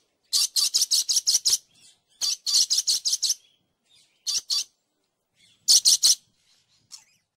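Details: Dusky lory, a parrot of the family Psittaculidae, giving bursts of rapid, shrill, rasping chatter in groups of six or seven, two and three notes. Between the groups there are brief quiet gaps and a few faint softer notes.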